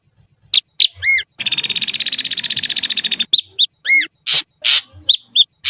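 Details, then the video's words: Varied Ashy drongo song with arched, slurred whistles and harsh chips around a two-second grating pulsed rattle in the middle, then more whistles and rasps. "suara jernih burung srigunting abu abu"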